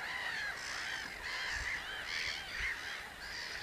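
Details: Chorus of common cranes: dense, steady overlapping trumpeting calls with no clear gaps, several birds calling at once throughout.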